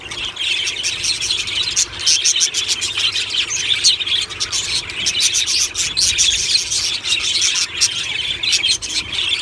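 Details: Happy morning song of many budgies in a colony aviary, steady rapid twittering and chirruping warbles, high and continuous, with a low background hum.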